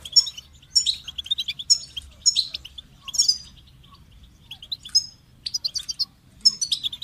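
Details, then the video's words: Singing goldfinch delivering separate short phrases of bright, tinkling notes, each about half a second long, with a longer silent pause mid-way before the phrases resume. "Amplifying the Goldfinch's Voice"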